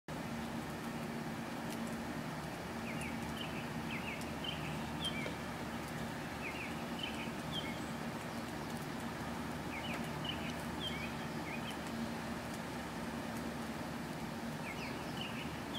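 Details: An American robin sings short, clear caroling phrases in bursts every few seconds after the day's first rainstorm, over a steady low rumble of traffic.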